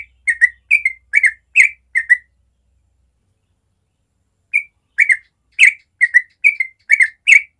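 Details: Natural morning ropel song of a yellow-vented bulbul: two bursts of rapid, liquid whistled phrases, each of about six notes, split by a silent gap of roughly two seconds. A faint low hum sounds at the start.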